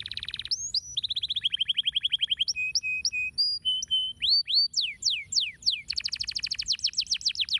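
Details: Canary song meant to stimulate lazy canaries into singing: fast buzzy trill, then separate rising and falling whistled notes, upswept slurs and a rapid rolling trill of repeated notes near the end.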